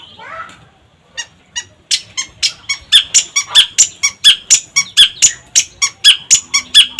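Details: Long-tailed shrike singing energetically as a lure recording: a short scratchy warble, a pause, then a long accelerating run of harsh clipped notes.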